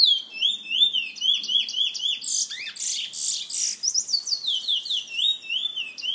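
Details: Steady high whistled warbling from a bullfinch held by a San Fernando bird lovers association member, with rolling upslurred notes and a stretch of harsher, buzzy rapid phrases in the middle.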